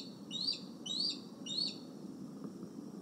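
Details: Decorah eagle calling during fishing lessons on a July 30, 2020 evening, as the adults take a fish from the retention pond back to the nest: three sharp, high, upslurred piping notes about half a second apart over a low background hum.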